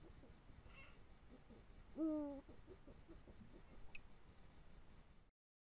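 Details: Eurasian eagle-owl, a female and male pair calling at night at 1:01 am on 16 March 2017 in the Eifel; a single short, deep hoot that falls slightly, over a quiet, faintly hissing background.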